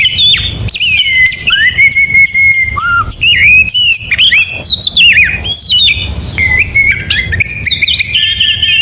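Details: Morning song of an oriental magpie-robin: continuous rich medley of sustained pure whistles, rising and falling slides and rapid twittering trills, loud and dense throughout, aimed at getting other magpie-robins singing along.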